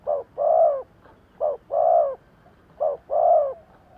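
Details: Lure spotted dove cooing: three paired coos, a quick soft note then a longer warm one, spaced about 1.3 seconds apart, with light background noise.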